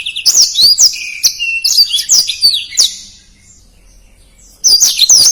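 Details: Black-throated canary (blackthroat) kept as a tutor bird, singing rapid runs of high twittering notes and sharp downslurred whistles in tightly packed phrases, then a short pause before another burst.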